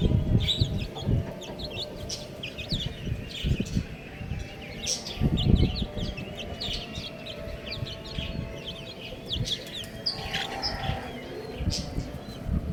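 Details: Chicks calling almost continuously, many overlapping short high chirps that slide downward, over a steady bed of low rumbling and bumping noise.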